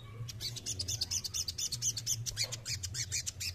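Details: Male crested jay delivering a fast, busy stream of high rattling chirps, about two per second and uneven in rhythm, with a low droning hum in the background.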